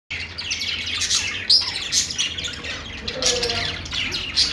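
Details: Budgies singing: a dense, continuous stream of high, scratchy chirps and warbles with sharp squeaky notes scattered through, and no pauses.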